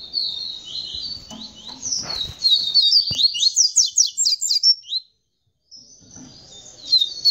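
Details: Caged double-collared seedeater singing tamborete after mating with the female, a long run of fast high zipping notes ending abruptly, a short silence, then the song resumes, with faint background noise.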